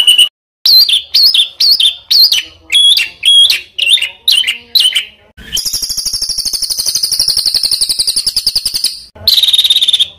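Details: Bird song from a master recording for training competition birds: a series of sharp, high whistled notes bending up and down, then a long rapid buzzy trill, ending abruptly with a final high trill. Segments sound spliced.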